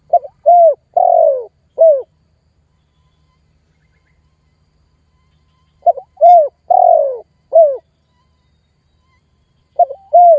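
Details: Spotted dove calling to lure and challenge a rival, used as bait for catching wild doves: low cooing phrases of a short coo, a long falling coo and a short coo, with the phrase repeated about every four seconds between silences.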